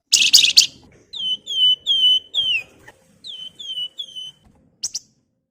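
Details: Javan fulvetta song meant to prompt other birds to sing: two series of clear descending whistled notes, four then three, framed by harsh noisy bursts at the start and end.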